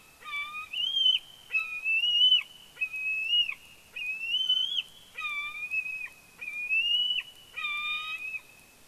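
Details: Bald eagle at the Big Bear nest, live nest camera: clear, loud whistled notes, each rising slightly then dropping at the end, repeated roughly once a second, about seven in a row, in a quiet setting.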